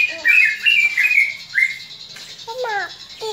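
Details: Greater green leafbird fighting call, meant to rouse other leafbirds: a quick burst of bright whistled slurs and chirps, then a lower, harmonic, downward-sweeping squeaky note near the end.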